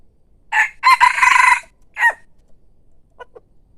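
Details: Decoy rooster crowing with a brief first note, a long rough held syllable and a falling final note. Two faint short calls follow over a quiet background.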